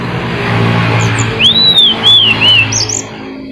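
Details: A mountain flycatcher in full song, used as a lure to prompt silent birds to sing: three high, clear whistled notes, each arching up then down, in quick succession over a low engine-like hum.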